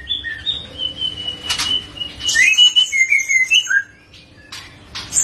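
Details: Already singing in the clear ngeplong gacor manner, a young murai batu medan (white-rumped shama) gives long whistles and a tumbling series of short warbled notes, followed by a few sharp clicks after a pause.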